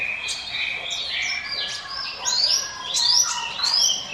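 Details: High, drawn-out whistles from a Hill Prinia singing its 'ngiwit wit' song as a lure for other birds, then sharp rising sweeps that grow louder in the second half.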